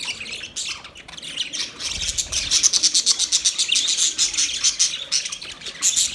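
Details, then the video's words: Budgerigars chirping: dense, scratchy high chatter building after the first second into a steady stream of rapid pulsed notes with short whistled glints, heavy through the later half. "Budgies chirping sounds"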